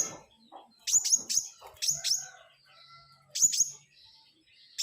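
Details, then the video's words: Flowerpecker singing vigorously: sharp, very high, thin notes, often paired, given in quick bursts with short gaps between them, plus faint softer twitters and low background rumble. "SUARA BURUNG PENTIS RAJA GACOR"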